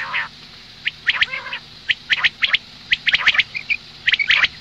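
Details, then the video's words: Female common quail in the morning. A low buzzy note opens, then paired harsh rasps and quick high peeps follow at irregular, roughly one-second spacing against soft background noise. "Madi batair ki awaz suba ke liye مادی بٹیر کی آواز"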